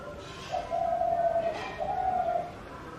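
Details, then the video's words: Spotted dove giving two drawn-out, low, level coos separated by a short gap, over quiet background hiss. "Sound of Spotted Dove bird / फाख्ता की आवाज़"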